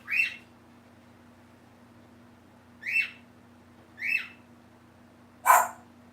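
A cockatoo gives four short, harsh, bark-like squawks spaced one to three seconds apart, imitating a dog, over a low steady hum.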